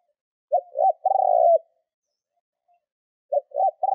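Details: Spotted dove decoy cooing in the thúc gù style used to lure wild doves: two clean phrases, each a short clipped note followed by a longer, throaty coo, separated by about two seconds of silence.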